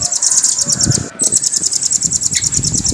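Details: Velvet-fronted nuthatch, called rambatan, in a continuous high, fast rolling trill with a brief break, over faint low background noise.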